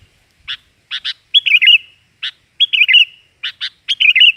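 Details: Sooty-headed bulbul song, loud clear single and double chirps leading into fluty warbling phrases that waver and trail off, repeated about three times in a quiet setting.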